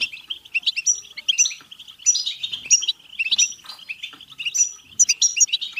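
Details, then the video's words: European goldfinch song in the batbata style, used to stimulate goldfinches to sing, mate and get excited: rapid, continuous high twittering with bright tinkling notes and quick buzzy trills, in near-constant bursts with no other sounds. "بتبتة حسون فعالة و رهيبة لتحفيز الحسون على التغريد و التزاوج و الهيجان"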